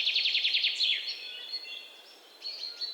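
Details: Bird chirping in a natural setting: a fast series of sharp, repeated chirps opens the passage, then fades into softer, scattered high whistles and twitters with faint hiss behind.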